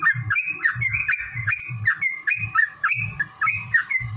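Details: A yellow-vented bulbul's long fighting song, used to incite other bulbuls to sing, made of quick liquid whistled phrases repeated steadily, each accompanied by soft low thumps.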